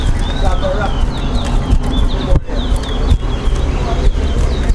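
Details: Competition song of a towa towa (chestnut-bellied seed finch) at a Linden bird club match: thin high whistled notes, some wavering, in loose series broken by a short pause, against loud chatter from onlookers.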